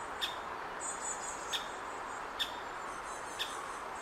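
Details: Great spotted woodpecker chick waiting in a nest hole for its parents to bring food, recorded June 2019 at Hokkaido University Botanic Garden in Hokkaido. Four short, hard kik calls spaced about a second apart over constant low rushing noise.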